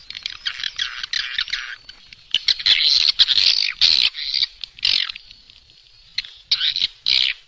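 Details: Indonesian swiftlet farming sound: rapid high twittering, then loud rasping chatters in irregular bursts roughly twice a second, fading to quieter chirps and a final squeaky burst.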